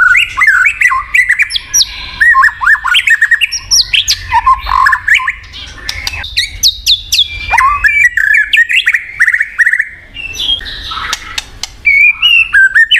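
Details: White-rumped shama (Copsychus malabaricus) pouring out a rich, varied song of loud whistles, fast trills and sharp chattering notes in rising and falling phrases; it is used as a lure to get a silent shama singing.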